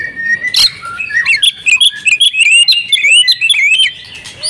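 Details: Home-kept female oriental magpie-robin singing hard and showing off its repertoire: a fast run of high, clear whistled notes, many sweeping upward, packed closely together after a short sharp note at the start.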